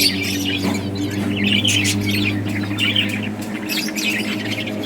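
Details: Playful budgies in a breeding colony give bright, clipped chirps and warbled notes in loose bursts, many birds overlapping, with a continuous low hum.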